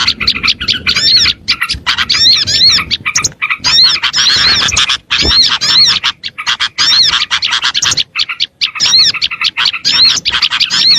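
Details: Pleci (Oriental white-eye) calling in a small-bird lure recording: busy, high twittering phrases with bouncing whistled notes, packed closely with brief silent gaps between bursts.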